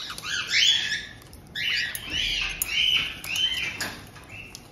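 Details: Captive white-bellied caiques, a resident pair welcoming a newly arrived two-month-old young bird in Tokachi, Hokkaido, Japan: bursts of harsh, high squawking calls with rising and falling whistled notes, repeated in several loud phrases.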